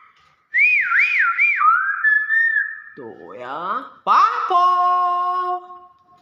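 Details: Nias hill myna giving loud whistles: a wavering, looping whistle repeated three times, a level tone, then a burst of harsh harmonic notes and long steady multi-toned whistles, in a quiet setting.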